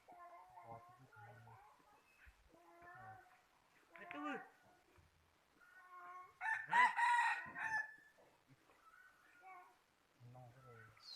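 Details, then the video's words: Among several birds, a rooster's crow stands out as one loud, harsh, drawn-out burst. It is surrounded by lower clucking, nasal fowl calls and scattered farmyard noises. "Qaib qua zoo heev (gà gáy hay nhất của 2021)"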